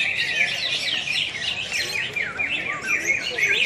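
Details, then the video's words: Cucak hijau, greater green leafbirds, in a singing contest at Pontianak, West Kalimantan, 3 April 2016: rich high chatter with clear downward-sweeping whistles and rapid twittering, overlapping singers. "BURUNG CUCAK HIJAU"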